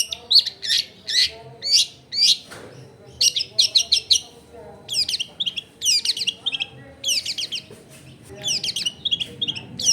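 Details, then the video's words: Long-tailed shrike song meant to make silent shrikes start singing, recorded at a house in a densely populated neighbourhood: loud phrases of scratchy, buzzy chatter and high warbled notes in repeated bursts. "CENDET GACOR BAHAN BUNYI ISIAN MELIMPAH CENDET DIAM LANGSUNG NYAUT EFEKTIF CENDET AGAR IKUT BUNYI"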